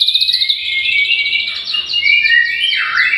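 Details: Short burst of White-rumped shama song, played to encourage birds to sing: dense, high, rapidly repeated notes blending into warbled, sliding whistles.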